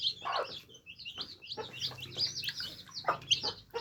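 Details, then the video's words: Day-old chicks at water, a crowded flock giving thin, high peeping chirps almost without pause, mixed with occasional pecking knocks and a low background hum. "Adorable Baby Chicks Quenching Thirst Chicks Sound Effects"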